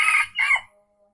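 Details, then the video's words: Junglefowl from Aceh crowing, a recording used to lure wild birds: one short, hoarse two-part crow, a harsh opening burst followed by a brief falling second note, then quiet. "Ayam Hutan Aceh # Pikat F 1"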